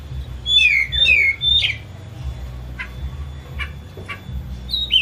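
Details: Caged, home-kept Oriental magpie-robin, agitated and spreading its tail, used as a lure to make a silent bird sing: three loud whistled slurs falling from high to mid pitch, then softer short notes over a steady low hum.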